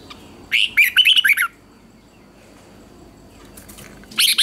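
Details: Red-whiskered bulbul competition song used for training birds: a one-second burst of quick, bright warbled notes sliding up and down, then quiet, with another short burst of chirps starting at the end.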